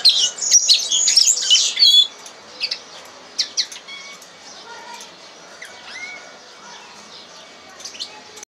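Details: A red crossbill gives a lesson song: two seconds of dense, high twittering warble, then scattered sharp chips and short clear whistles at irregular intervals.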